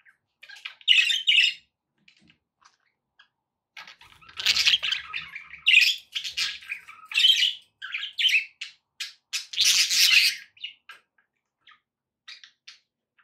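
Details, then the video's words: Pet budgerigars in a room chatter in loud bursts of scratchy, squawking warble and shrill chirps, quiet gaps between runs; offered as company to encourage a parrot to eat and sing. "budgie sounds to encourage your parrot to eat and sing"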